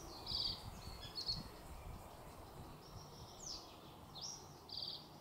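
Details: Common reed bunting recorded from a bird hide in the Spookverlaat polder nature area near Alphen aan den Rijn, Netherlands, giving short, high, slightly buzzy chirps and quick downslurred notes in a loose series over low rumble.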